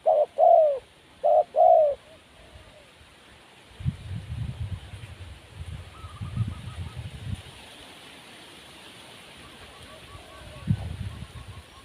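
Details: Wild spotted dove giving two paired low coos in the first two seconds, each a short note then a longer slurred one, then rumbling low noise and faint distant chirps.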